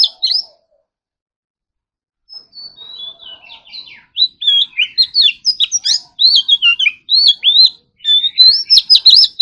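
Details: Caged Oriental magpie-robin at morning singing practice: after a brief note and a quiet gap, soft warbling builds into loud, rapid whistled phrases with sharp downslurred notes, repeated about three times per second.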